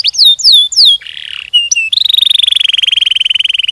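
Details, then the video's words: Singing canary for luring other canaries: a few loud swooping whistles, a short lower buzzy trill, two brief notes, then a long fast, evenly repeated trill slowly falling in pitch. "Burung kenari gacor ngerol ngedur panjang, Suara Kenari gacor speed rapat untuk pancingan kenari"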